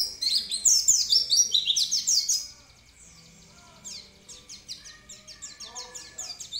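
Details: Oriental white-eye song, gacor style: a loud opening flurry of rapid sliding whistles, then a pause, followed by softer, evenly spaced high chirps repeated a little more than twice a second.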